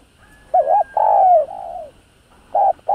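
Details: Spotted dove (cu gáy/cu đất) cooing low and hollow: a quick doubled note, a long rolling coo sliding down, then two more short coos against a quiet background; a recording played to stimulate captive doves to coo.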